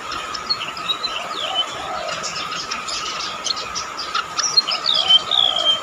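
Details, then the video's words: Golden-bellied gerygone singing, praised as shrill, used as a tutor recording for cage birds: thin high whistled notes sliding downward, a few at the start and a longer run near the end, over a steady electrical hum. "rametuk laut gacor sih suara melengking"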